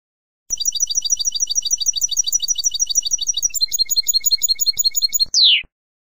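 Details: Song of a European goldfinch, recorded for teaching young birds to sing: a rapid high-pitched trill lasting several seconds, shifting into a harder trill and finishing with a sharp falling note, over a faint low hum.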